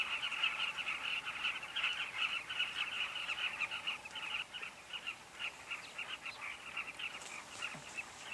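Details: Carmine bee-eaters at a colony at Kavinga Safari Camp give a busy stream of short trilled chirps, loud at first, then sparser and quieter, with a few higher notes near the end.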